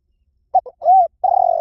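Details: A brief spotted dove cooing fragment used for stimulating decoys. Two short notes and an arched mellow coo lead into the start of a long wavering coo, which is cut off.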